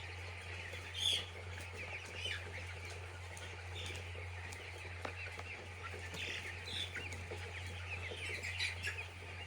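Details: Poultry-farm chicks chirping in a busy chorus, scattered louder high peeps and some soft rustling or flapping among them, all over a continuous low mechanical drone.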